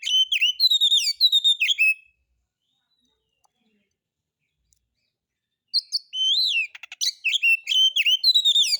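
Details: Lure song of a white-rumped shama meant to draw other birds into singing, harsh material: rapid strings of bright slurred whistles and chips, then a long silence before a fresh burst of whistled, clicking phrases.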